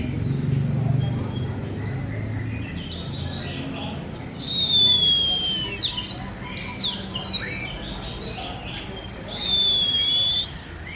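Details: Oriental magpie-robin, eight months old, singing in the field: rich series of high chirps, trills and rapid notes with long clear sliding whistles around five and ten seconds, over faint low background noise.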